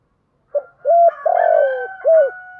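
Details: Spotted dove lure call used to draw in wild doves, from a decoy female, in the thúc gù and gáy gọi styles: a short soft note, then a long mellow coo and a final drawn-out falling coo, with a faint hum behind.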